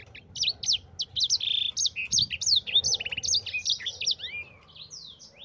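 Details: Yellow-fronted canary in full rolling song for provoking and tutoring other birds: a rapid, continuous chatter of high chirps, short buzzy trills and sliding whistles, closing with clear downward glides.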